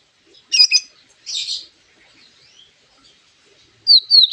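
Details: A white-rumped shama imitating a lovebird, used to provoke other birds to sing: a doubled squeaky chirp, a rough squawk, a soft pause, then two sharp high whistled notes.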